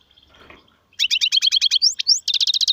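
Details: European goldfinch performing song styles known as sarfati, gzrati and tsersir: a dense, rapid trill of high tinkling notes, two rising slurred whistles, then a fast buzzy rattle of repeated chirps.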